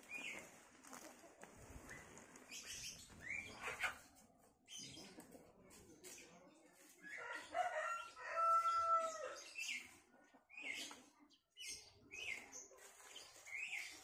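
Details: Village roosters and hens foraging in a garden: a rooster gives a drawn-out, strained crow amid clucking chickens and scattered chirps from small birds.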